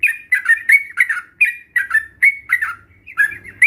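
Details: Trucukan, or sooty-headed bulbul, lure song meant to stimulate reluctant birds to sing: short gurgling, warbled phrases repeated in quick bursts separated by brief pauses, over a faint low hum.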